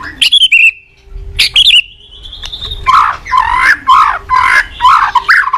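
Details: White-rumped shama in morning song, played as a training lure for caged birds: a short whistled phrase and a long level whistle, followed by harsh, buzzy, rapidly repeated chattering notes.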